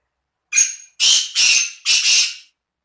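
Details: Black francolin from Khushab, Pakistan, giving a loud harsh grating phrase: one short rasping note, then two pairs of longer scratchy notes, the whole call lasting about two seconds in silence.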